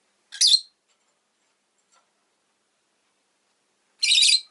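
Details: Two harsh, buzzy chirps from a pet rosy-faced lovebird, spaced nearly four seconds apart, with quiet in between.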